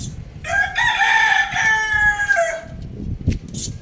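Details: Young rooster playing on a roof gives a single strained, harmonic crow of about two seconds, held fairly level before dropping away at the end, over low rumbling and bumping noises.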